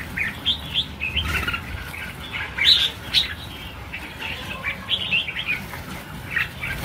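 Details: Red-whiskered bulbuls in a released flock of about 1000 birds give scattered clear chirps and short warbled phrases, several birds at once, in bursts with brief pauses, over soft fluttering and background hiss.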